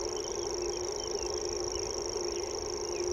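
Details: High, continuous reeling trill of a common grasshopper warbler, sung with beak wide open and body vibrating; the even mechanical buzz never pauses, while a few soft whistles from other birds and a steady low hum sit beneath it.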